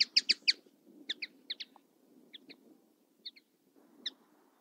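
A common linnet twitters a quick burst of bright, dry chirps, then slower paired notes, over a low background rumble.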